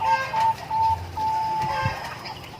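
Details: Bangkok-type zebra dove (perkutut) at umbaran, giving long drawn, level whistled coos separated by brief gaps, with a faint chicken cluck in the background.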